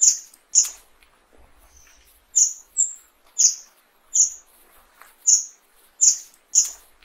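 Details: Fire-tailed myzornis song: a series of very high, thin, sharp notes, each brief and piercing, given about nine times at irregular intervals over seven seconds, with a few softer higher squeaks between; otherwise quiet background.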